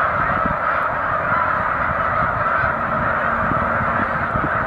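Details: Hundreds of snow geese gathered on Cayuga Lake one March afternoon in 2021 give an unbroken chorus of yelping honks, a constant roar of overlapping voices.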